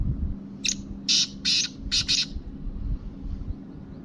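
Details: Kabotra-type black francolin (kala teetar) calling once: five loud, scratchy notes in a rhythmic phrase, short, long, long, then a quick pair, followed by quiet with a low rumbling background and hum.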